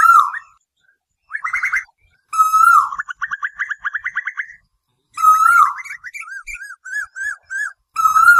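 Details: Night lure audio of Asian koel: long smooth whistled notes alternate with rapid bubbling series, with a few short separate notes near the end.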